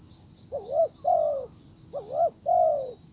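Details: Spotted dove, a decoy calling a wild bird, gives two mellow phrases: a quick bouncing coo-coo, then a long smooth coo sliding downward, against a constant high-pitched background chirr.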